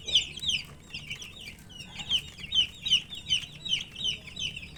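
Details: Thirsty colour chicks chirping for drink water: shrill, sharply downslurred peeps repeated about two to three per second in a fairly steady rhythm, a few softer chirps overlapping in the background.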